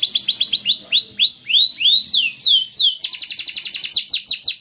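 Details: Caged canary in Indonesia, kept on one of two parallel perches meant to keep it calm while singing at contests; loud rapid song of falling whistled notes, rolling trills and quick repeated sweeps, about three to four notes a second.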